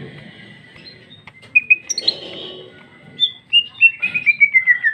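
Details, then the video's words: A female Greater Green Leafbird sings a lively, full-throated song of sharp chirps and clear whistles, ending in a quick descending series of bright, slurred notes. "Cucak ijo betina paling gacor ngeplong isian super mewah"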